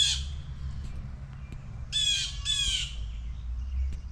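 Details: Blue jays upset over a baby blue jay in a backyard tree, dive-bombing a person walking beneath, give three harsh, raspy jeers, one at the start and two close together a couple of seconds later, over a low, steady rumble.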